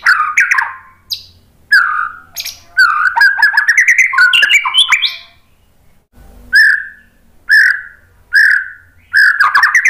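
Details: White-rumped shama singing, played as a lure to get other birds to answer: varied rich whistled phrases with quick chirps and rolling notes, then a brief gap followed by four separated, clear, slurred whistles spaced about a second apart.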